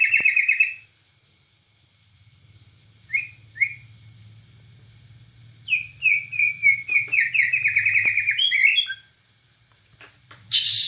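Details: White-rumped shama from Borneo in gacor song with nembak cililin: loud opening whistle burst, scattered short slurs, then a long rapid warbling phrase of mixed whistles and chatter, ending in a harsh noisy burst.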